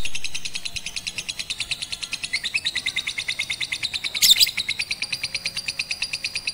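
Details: Batman lovebird trained with a master recording on a roof, 18 April 2021; a long, fast, even chatter of high buzzy notes runs throughout, with one sharp louder burst near the middle.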